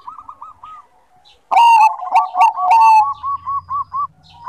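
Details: Bangkok-type zebra dove (perkutut) in full song: soft rolling coos at first, then a loud sequence of burry, crackling notes. These give way to a run of quick, evenly spaced bubbling coos.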